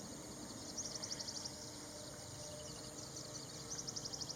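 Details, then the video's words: Ashy prinia giving two quick bursts of thin, very high ticking notes, about eight in a second-long run, over a steady hiss of background noise. "bird call sounds of Ashy prinia"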